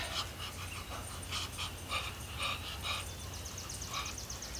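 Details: Muscovy ducks (Cairina moschata) give soft, breathy puffs and hisses in short uneven bursts, several a second, over a low steady hum; this heavy-breathing sound is how they communicate, since they do not quack.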